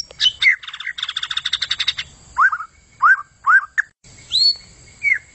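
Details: White-rumped shama in lively song: a rapid dry rattle of repeated notes, then several upward-sweeping whistles about half a second apart, ending with a high rising whistle and a short falling note.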